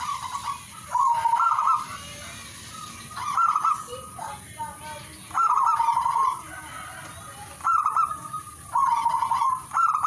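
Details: Zebra dove song: repeated rippling coo phrases with stuttered openings, roughly every one to two seconds, over constant background hiss.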